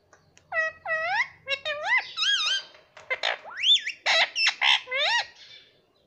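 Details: Talking pet ringneck parrot producing a rapid stream of loud harmonic squawks, rising whistles and mimicked syllables, almost continuous for six seconds in a quiet indoor setting.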